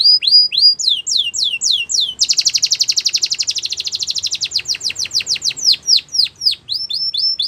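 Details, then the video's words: Canary singing to train young canaries: looping whistled notes repeated about every half second, then a fast, even rolling trill, then sweeping whistles again, sung loudly and continuously. "Canary Training Singing"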